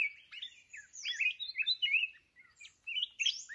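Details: Mountain red-whiskered bulbul in Vietnam, trapped with a fighting decoy bird: lively warbled phrases of short rising and falling whistles, slurred and chattering, in bursts with brief pauses, a second fainter bird overlapping at times.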